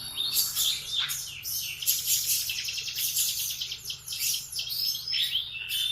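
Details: Continuous high canary song in the morning, rapid rolling trills and sweeping whistled notes run together, with a low hum underneath.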